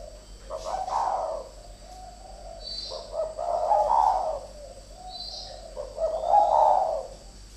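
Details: Spotted dove among two decoy birds fighting, giving three husky rolling coos roughly every two and a half seconds, each opening with a brief note, with a high faint squeak between phrases.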